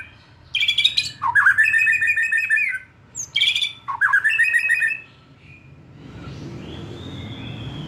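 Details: Young wild-caught White-rumped shama losing its spots, song used to provoke other birds to sing: two loud, rich phrases of rapid rattling notes with trills, separated by a brief pause, then quiet hiss.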